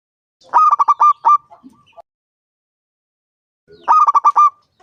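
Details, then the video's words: A five-year-old local zebra dove (perkutut) with a loud voice gives two bursts of rapid, staccato, bubbling coos, each a run of five or six notes, a few seconds apart; its calls are used to lure other doves into singing. "Perkutut lokal gacor suara besar"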